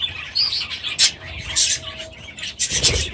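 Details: Short burst of aviary budgerigar chatter: high scratchy chirps and a few sharp squeaks, a brief thin whistled tone, and low knocking thumps near the end.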